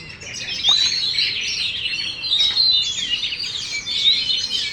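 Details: Champion caged Oriental magpie-robin, tail fully fanned, delivering a dense stream of bright, high whistles and rapid twittering phrases that flow almost without break, each phrase shifting in pitch.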